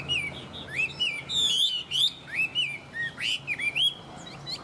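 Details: Caged, tame Chinese hwamei in strong song: loud looping whistles that swoop up and down, broken by a burst of harsh, rapidly repeated notes and short chirps over soft background hum.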